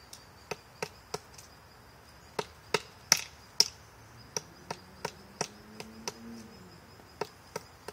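A woodpecker taps on wood with sharp, dry knocks, about two a second at an uneven pace, over a thin, steady high insect hum.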